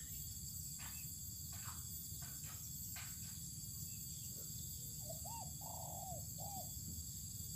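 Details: Spotted dove being sunned on open land; several seconds of scattered clicks and knocks, then one cooing phrase of short hooked notes, a long falling coo and a short end note, over persistent insect drone.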